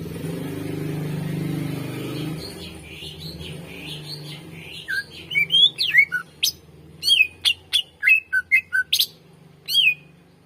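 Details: Greater green leafbird singing energetically as a master and lure recording for untrained birds: varied twisting whistles and sharp piercing notes in quick succession, over a low hum and background noise that fades after the opening seconds.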